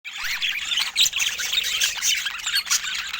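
Budgerigars chatter continuously in a dense, high-pitched warble of squeaks, chirps and scratchy notes overlapping without pause, as from several birds together.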